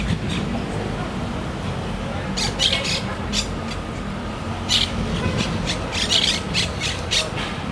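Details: Parrots in a city, giving short harsh high squawks in scattered bursts over a steady low rumble of urban background noise.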